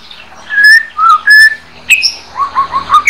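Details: White-rumped shama (murai batu) giving its everyday 'harian receh' song, used as master audio for training songbirds: loud clear whistled notes, some long and level, others short and dipping, ending in a quick run of bright chirps.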